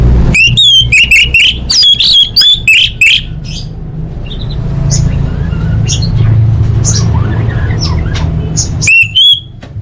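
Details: Full-fill orange-headed thrush song used to train competition birds: a loud rush of rapid sharp chirps and whistles, a quieter stretch of scattered soft notes over low hum, then another burst of clear whistles.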